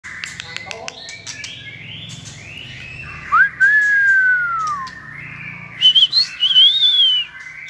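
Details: White-rumped shama being selected for a singing contest, where speed, many voices and lively performance are judged; clear whistled phrases, a long slurred note falling after a rising start, then quick high twisting whistles, with faint clicks early on.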